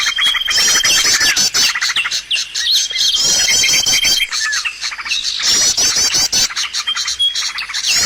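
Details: Bird lure recording used to attract birds for trapping: a dense mix of high chirps, rapid trills and long thin whistles in overlapping bursts. Loud stretches of chatter are broken by short, quieter gaps.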